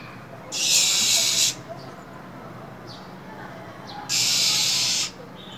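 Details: A female minivet hisses in cold winter to stimulate a male: two harsh, level, breathy hisses about a second long, roughly three seconds apart, with a faint chirp between.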